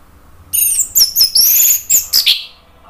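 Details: Red-billed malkoha song for prompting a cage bird to sing, from Indonesia: a dense run of very high, sharp squeaky notes with ringing overtones, delivered in five quick bursts over about two seconds.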